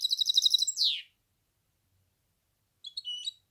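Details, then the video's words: Goldfinch hybrid giving a brief rapid trill ending in a downward slurred note, then silence and a short second burst of thin chirps. "تغريد النغل.. هجين الحسون melez ötüşü"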